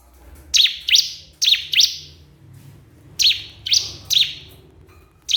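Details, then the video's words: Repeated bright, high flicking chirps from a crystal prinia calling a rival, arriving in pairs and triples with pauses of roughly a second, low rumble faintly underneath. "cikris/ciblek kristal gacor memanggil lawan"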